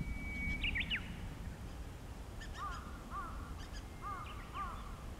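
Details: Japanese bush warbler singing nearby, 5 April 2016: a sharp looping flourish opens, followed by a series of short, repeated, slurred down-and-up notes in pairs at a lower pitch, against constant low outdoor noise.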